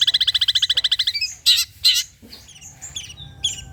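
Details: Long-tailed shrike song as a lure for other shrikes: a rapid, even, buzzy trill of about fifteen notes, then two loud harsh squawks and scattered thin high whistles.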